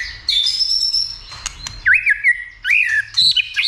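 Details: White-rumped shama stimulated to sing and fight: a clear high whistle, then wavering, warbled whistles that swoop up and down in quick loops with short gaps.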